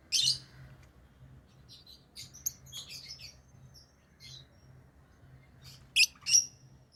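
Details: Lovebirds kept as pets give bursts of sharp, high chirps and squeaks, a loud harsh note at the start, a scattered cluster in the middle and two strong shrill calls near the end over a low background hum.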